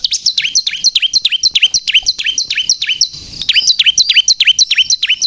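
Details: Bar-winged prinia in strong song, used as a lure and to rouse other prinias: steady, quickly repeated high chirps, each a sharp downward slur, about three a second, broken by one brief pause.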